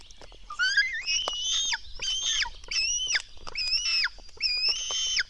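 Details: Black stork nestlings begging during a feeding at the nest, early morning, 04:53 on 24 June 2016: harsh, rasping wheezy cries with whistled overtones, about five drawn-out calls each lasting roughly half a second, ending in falling slurs.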